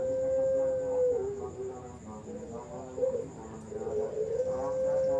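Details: Caged Barbary dove at a bird farm in Sidoarjo, East Java, giving long steady low cooing notes, the first held about a second, then wavering broken coos and another long held coo, over a constant background hum.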